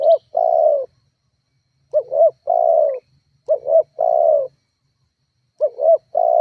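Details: Lure call of a spotted dove for stirring up rivals and getting other doves to call; four phrases of paired short coos ending in a prolonged descending coo, with a brief faint high chirp at the start.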